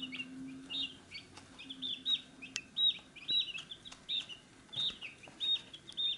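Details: Busy chicks around a feed dish give shrill, high peeps in short bursts, several voices overlapping, with sharp ticks of pecking at the dish.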